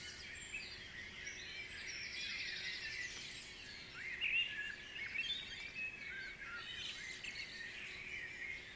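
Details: Guisborough dawn chorus, a far-off crowd of songbirds giving tangled high trills, chips and short whistled phrases, a few nearer notes rising above the wash midway, against constant low background noise.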